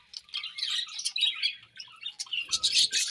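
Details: At morning feeding, budgies produce a run of high warbled chirps and short twitters, with some soft rustling near the end.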